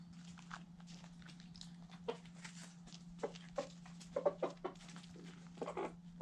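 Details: White Silkie rooster recorded close up: soft, short low clucks scattered through the recording, bunching into a quick series near the end, over a steady low electrical hum.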